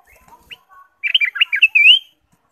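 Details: Ruby-throated bulbul in energetic song, used to draw caged birds into singing: soft scattered chirps, then a rollicking, bubbling phrase that ends in a drawn-out upward whistle.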